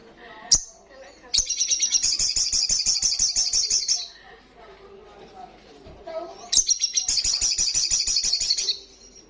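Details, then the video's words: Olive-backed sunbird singing vigorously in ngalas style: a single sharp note, then two long rapid high buzzy trills of about two and a half seconds each, with softer twittering between. "Sogon gacor Ngalas kencang"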